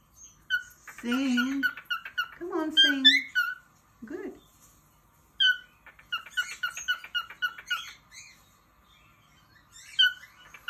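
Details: Pet cockatiel singing indoors when its owner urges it to sing. Low human speech is heard early on, then the bird gives bright whistles and quick runs of repeated chirping notes.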